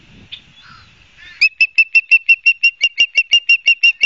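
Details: Nest-camera recording of an osprey at Barnegat Light, New Jersey, on 12 September 2022: faint murmurs give way to a rapid, evenly spaced run of about sixteen sharp whistled chips in under three seconds.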